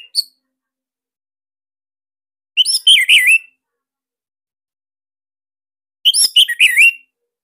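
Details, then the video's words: Bali orange-headed thrush singing material meant to coax idle caged birds into song: a short opening note, then two rich phrases of rapid whistled warbles and twists about three seconds apart, surroundings silent. "Tembakan SIRTU GACOR Dan Isian Lain Cocok Buat MASTERAN Kicauan sobat di Rumah."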